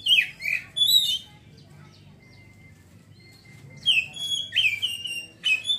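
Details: Oriental magpie-robin in ngeriwik twittering: bright slurred whistles and buzzy chirps open the phrase, a thin steady tone fills the pause, then a rapid rich whistled run follows.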